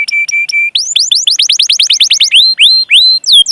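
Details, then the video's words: Canary lure song: three flat whistled notes, then a run of quick rising chirps and a few longer upswept whistles. "Masteran Suara Burung Kenari Gacor Panjang cuit cuit Ngerol untuk Pancingan Kenari!"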